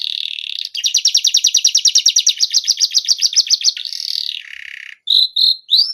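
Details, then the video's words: Canary singing a competition-style song: a sustained buzzy tone, then a long rapid trill of high repeated notes, a falling buzzy phrase, and a few short sharp chirps at the end. "Cengkok Kenari Paling Di Sukai Juri"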